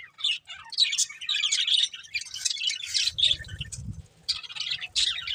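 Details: Breeding pair of budgerigars giving busy high chirping chatter, short scratchy warbled notes in clustered bursts with a few short gaps, and a low muffled thump partway through.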